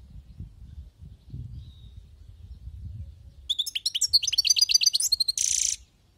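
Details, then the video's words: A wild-caught European goldfinch sings after a stretch of low background rumble: fast, liquid twittering notes repeated rapidly, closing with a harsh buzzy note. "أسمع وركز على المقنين الخلوي كيف يغرد"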